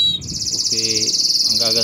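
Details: Belgian canary, intense yellow, switching from a short lower note into a high fast trill, with a man speaking underneath.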